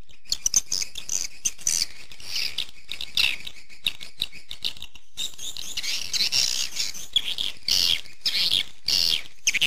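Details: Swiftlet lure call meant to attract swiftlets in any region: dense, overlapping high twittering chirps and buzzy trills, some louder bursts in the second half, with a steady hiss behind.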